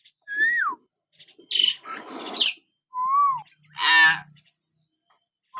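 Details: Common hill myna, natural calls meant to stir pet mynas to sing: a falling whistle, a burst of harsh grating squawks, an arched whistle, then a loud raucous screech.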